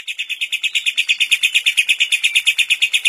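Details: Lovebird with kapas tembak fill-in, recorded to train other lovebirds, giving a very regular long ngekek: quick, buzzy, high chirps about three per second, clean with no other sounds.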